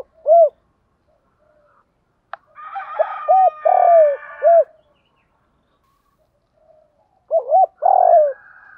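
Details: Spotted dove coos for training captive birds: a single rounded note, a sharp click, then a four-note phrase over a fainter higher-pitched buzzy background sound, and later another phrase with a drawn-out falling coo.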